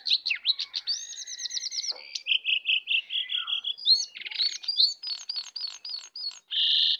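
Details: Sooty-headed bulbuls, one wild and one caged, in a fierce singing contest with full isian (fully filled) song: a rich, varied run of whistled loops, rapid repeated notes and buzzy trills, densely packed with no pauses.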